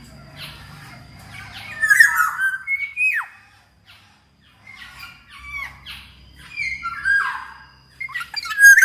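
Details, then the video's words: Kepodang emas, the black-naped oriole, singing as a lure for orioles reluctant to sing: scratchy squawks mixed with steep falling whistles, in bursts separated by a brief quiet gap. "SUARA BURUNG KEPODANG COCOK BUAT MASTERAN DAN PANCINGAN KEPODANG AGAR BUNYI"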